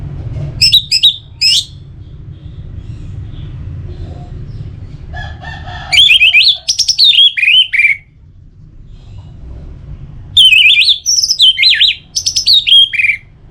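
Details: Orange-headed thrush song from Singaraja, northern Bali, used to get birds singing: a few short loud notes, then two long bursts of rich varied slurred phrases and rapid trills separated by pauses.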